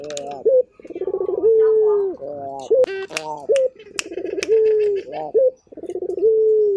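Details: Turtle dove, a vocal local puter from Indonesia, cooing in repeated cycles: stuttered low rolls, long smooth falling notes and quick upturned hooks, with brief clicks and a soft rattle in the middle.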